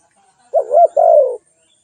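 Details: One clear phrase from a spotted dove: a low wobbling coo run straight into a drawn-out note that slides gently downward.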